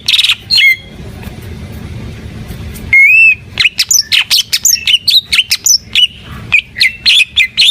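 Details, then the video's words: Greater green leafbird, or cucak ijo, singing energetically. After a brief opening note and a quiet pause, one long slurred whistle leads into a quick run of sharp, varied chirps and upswept whistles. "Suara Burung Cucak IJO FULL Gacor"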